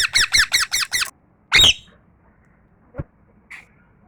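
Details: Pet parrot in a room uttering five quick harsh chirps in a row, then one loud rasping squawk, followed by a sharp click and a brief soft note.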